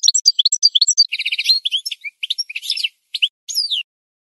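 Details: Goldfinch song played for training other birds to sing: rapid twittering of high chirps and liquid notes with a buzzy rattling trill near the middle, then scattered sharp notes and a falling whistle.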